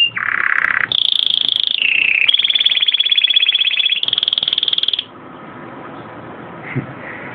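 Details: Belgian and native canaries (canário-da-terra) in song: long sustained rolling tours at steady pitch switch abruptly between low and high levels for about five seconds, then stop, leaving faint background hum.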